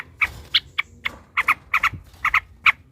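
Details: Excited yellow-vented bulbul calling as a lure to make rivals sing. It gives short harsh notes, often in quick pairs, repeated roughly every quarter to half second.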